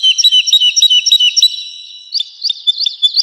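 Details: Melodious woodlark song meant to tutor pet and competition birds: one phrase of clipped notes about three per second, a short quieter gap, then a new run of sharp upslurred notes.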